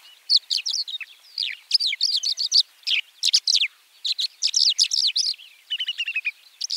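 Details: White-winged lark (Alauda leucoptera) singing a fast, varied stream of high chirps, trills and short whistled notes in quick bursts, with brief pauses and a rapid buzzy trill near the end.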